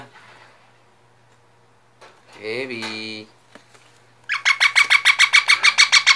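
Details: Talking parrot: a short speech-like utterance with stacked harmonics near three seconds, then a rapid run of about fourteen harsh, evenly spaced bursts. A steady low hum runs underneath.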